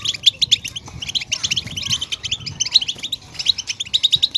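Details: Short burst of European goldfinch song, played to make caged goldfinches sing: quick sparkling chirps and buzzy trill notes repeated in a steady pulse, ending with a run of sharp high notes.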